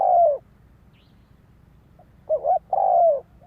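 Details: Spotted dove, a cage bird kept for singing, used as a lure to draw wild doves; a short low coo followed after a pause by a quick double note and a longer drawn-out coo, in quiet surroundings.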